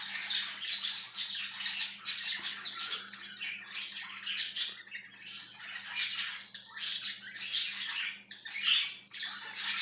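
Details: Budgerigar chattering steadily on 14 September 2023, with rapid scratchy chirps and bright squeaky notes overlapping throughout, over a faint low electrical hum indoors.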